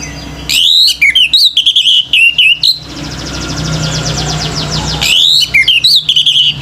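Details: Vigorous warbled song of a male orange-headed thrush, urging other birds to join in: jumbled rapid whistles and clicks in two long phrases, with a softer buzzy trill from another bird between them.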